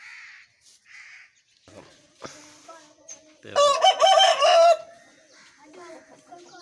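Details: Aseel rooster in Pakistan crowing once, a rough choppy crow of about a second in the middle, with other roosters faintly crowing before and after and some background noise.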